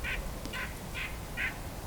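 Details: A White-breasted Nuthatch, unusually talkative, gives four nasal, honking 'yank' notes about half a second apart over low rumble, during a winter Christmas Bird Count (Hanover-Walkerton, Ontario), with chickadees and Hairy Woodpecker nearby.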